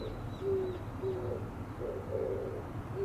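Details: Oriental turtle dove singing, breast swelling with each call: a sequence of low, soft, breathy coos at an even pitch, with faint thin chirps of another bird high above.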